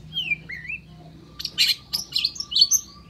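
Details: Long-tailed shrike opening with two smooth whistled slurs, then a quick burst of harsh, high chirps and squeaks; a faint steady tone hums underneath.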